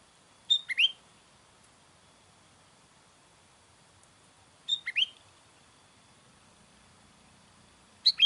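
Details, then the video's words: Sooty-headed bulbul call used to draw in wild bulbuls: short bright two-part notes, a sharp high chirp dropping into a slurred lower note, repeated about every four seconds against quiet background hiss. "SUARA KUTILANG MANGGIL KUTILANG LIAR"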